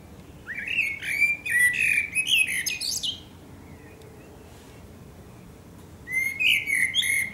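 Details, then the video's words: Male-style fluting song of a Eurasian blackbird at sunset, Akersloot, Netherlands, 30 March 2018: a mellow warbled phrase ending in a high squeaky twitter, a pause of about three seconds, then a new phrase begins. "Singing Eurasian Blackbird"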